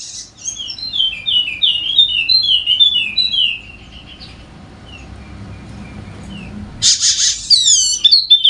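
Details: Golden-headed Wallacean white-eye from Sumbawa, NTB, used to coax quiet birds into song: a quick series of high descending notes fading into sparse chirps, then a loud harsh burst and renewed twittering.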